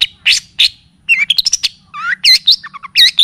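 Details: Varied long-tailed shrike (cendet or pentet) song for tutoring and luring: buzzy rasping notes, then quick squeaky slurred whistles and trilled wavering notes in a fast, jumbled sequence.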